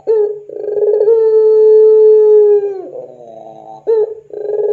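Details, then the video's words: Barbary dove of the puter pelung variety in a lure recording for training other doves: a gurgling lead-in, then a long sustained low coo of nearly two seconds that falls at its close, followed by soft burbling and another start. "SUARA PANCINGAN PUTER PELUNG GACOR COCOK UNTUK MASTERAN PUTER PELUNG apapun"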